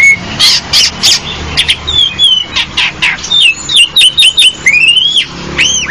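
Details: Harsh, squawking bursts from an Asian pied starling, followed by a series of clear whistled upslurs and downslurs, several repeated in quick succession near the end.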